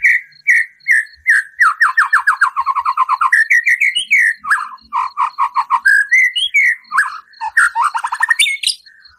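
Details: Lively white-rumped shama singing harsh 'tembakan' fill, played to provoke a caged shama: long rapid runs of repeated whistled notes, some descending, others rising in pitch, mixed with sharp rattles and chirps, almost without pause.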